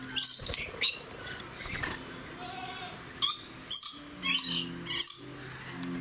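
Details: Captive red lory at Aloha Garden Tateyama, Chiba, Japan, on 17 June 2018, where visitors feed juice and a blue-faced lorikeet dominates: harsh, grating screeches, a cluster then four more about half a second apart, over low hum.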